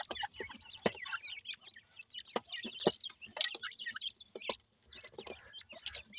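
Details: Dakhni teetar, grey francolin, chicks peep and chirp in rapid overlapping series while feeding, with scattered clicking sounds in between.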